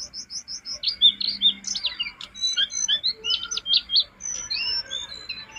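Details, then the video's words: Jongkangan song used as a master recording to train cage birds to sing: a fast, high jumble of chirps, short whistles and sweeping notes, with a few quick repeated chips at the start and near-continuous chattering throughout. "Masteran jongkangan gacor isian,pancingan terbaik buat jongkanganmu biar cepat gacor"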